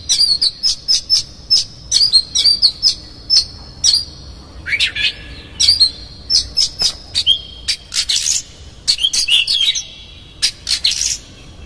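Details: Oriental magpie-robin singing a harsh, varied lure song used to provoke another magpie-robin into display; loud sharp chips and whistles around high pitch, interspersed with rising slurred notes and scratchy bursts, in rapid irregular phrases.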